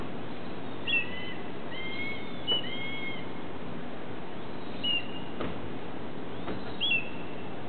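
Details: Red-tailed hawks on the ILR building at Cornell, 14 July 2013, mid-afternoon, one with head feathers raised to look fierce, the other giving alarm-like chirps: thin, high, brief notes in small groups every two seconds or so, over steady hiss.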